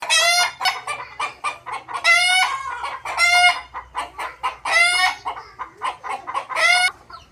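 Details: Desi rooster crowing repeatedly, five loud harmonic-rich crows each about half a second long at roughly one-second intervals, separated by short clucking notes.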